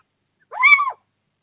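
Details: Little owl at the first prey transfer of the 2024 breeding season, Bommelerwaard, 4 March: a single clear, nasal, mewing call about half a second long, swelling up and then dropping away, in silence.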